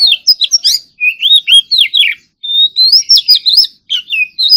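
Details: Oriental magpie-robin during morning singing practice, competition-style song: loud, continuous bursts of swooping and dipping whistles, one long rising whistle in the middle, then more quick slurred notes.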